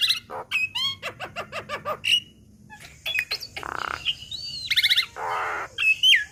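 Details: Training recording of a young black-winged myna: a rapid run of clipped chirps, short whistled notes, two harsh grating bursts separated by pure flat whistles, and a final rising whistle.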